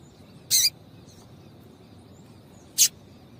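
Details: Female Double-collared seedeater call for warming up males to sing: one longer buzzy high chip, then a shorter sharp one about two seconds later, over low steady background hum.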